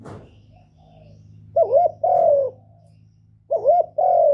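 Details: Caged Spotted Dove decoy cooing to rouse other kept birds: two phrases of a looping, rising coo followed by a steady, slightly falling coo, with a low steady hum in the background.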